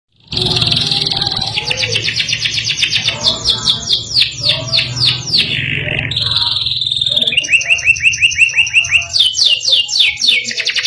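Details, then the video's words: Domestic canary singing in the Indonesian gacor ngerol nembak style: a long, loud, varied song of fast rolling trills and repeated chopped notes, with sweeping whistled phrases. A low steady hum runs underneath. "KENARI GACOR NGEROL NEMBAK | CANARY SINGING"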